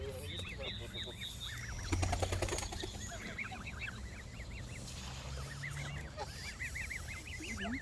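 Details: Canada geese in a flock, many overlapping nasal, arched honks repeating rapidly at varying distances, with a brief burst of broadband noise early on and a steady low rumble beneath.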